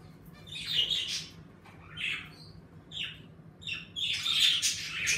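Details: Pet budgerigars in an indoor bird room, lively as the weather warms, give bursts of bright, scratchy chirps and squawks, with a loud chattering burst near the end over a steady low hum.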